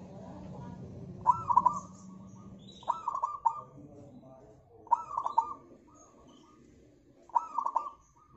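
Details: Local zebra dove singing steadily, meant as a lure for other birds: four evenly spaced phrases of quick stuttered notes sliding into a coo, roughly every two seconds, over a low hum that fades after the start.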